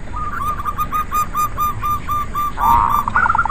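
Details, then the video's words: Local zebra doves in a busy chorus, used to spur reluctant doves into song; a steady string of short cooing notes about four per second over a hissy background, ending in a louder burbling flourish. "Pancingan Perkutut Lokal Rame ||Ampuh buat perkutut malas bunyi"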